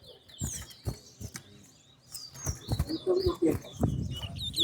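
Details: Competing towa-towa seed finch in a singing race at New Amsterdam bird ground: high, slurred whistled phrases repeat through the clip over dull thumps, crowd murmur and a voice counting.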